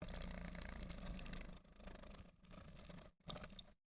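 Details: Chickadee nestlings being fed by their parents give bursts of thin, very high, rapid twittering notes in quick runs, over a steady low rumble of background noise.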